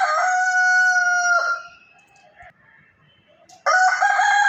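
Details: A rooster crows loudly in the morning, a long harmonic-rich call held steady then dropping off, followed by a pause and the start of another crow.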